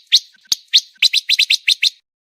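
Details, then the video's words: Pancawarna song from a luxury master recording for contest birds, tight fast delivery: sharp high chirps, a few spaced apart and then a quick even string of about eight, ending in silence. "MASTERAN MEWAH BURUNG PANCAWARNA‼️SPEED RAPAT COCOK UNTUK BURUNG LOMBA"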